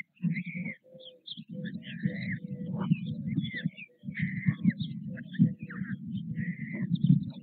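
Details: White stork chicks being fed by their parents at a nest in Nové Mlýny on 6 May 2024 give thin, mewing, slightly wavering calls in short bursts, several per second, over low wind and rustling.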